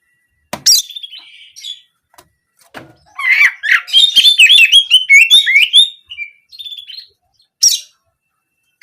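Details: Oriental magpie-robin song of the canary-shooting type, used to coax birds into singing for daily or contest form: scattered sharp chips, then a dense three-second burst of fast warbled whistles and trills, then more isolated chips.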